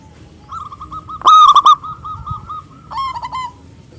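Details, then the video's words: Local zebra dove calling rivals with emotion: a soft fluttering run of hoots leading into a loud rolling coo, then a quieter trilled phrase fading away. "perkutut lokal gacor suara besar super ampuh memanggil lawan EMOSI MANGGUNG"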